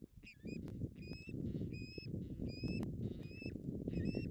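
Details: Ospreys at a nest in the Napiwodzko-Ramucka Forest, 16 August 2021, fighting over a fish that the female finally wins. Short shrill whistled notes, about two per second, over heavy low rumbling noise.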